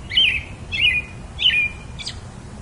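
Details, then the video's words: Three clear squeaky robin phrases, each a sharp high note drawn into a falling trill, spaced roughly two thirds of a second apart, then a fainter note; soft low background. "Very versatile melody of the pretty Robin bird"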